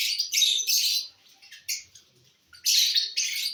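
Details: Lovebirds eating corn, giving harsh, high chattering chirps in loud bursts of about half a second, with a short quiet gap before more shrill screeches.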